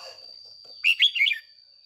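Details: Caged red-whiskered bulbul decoy bird giving one short 'ché' phrase: three or four rich, quickly slurred warbled notes lasting under a second, preceded by faint low rustling and set against a steady high whine.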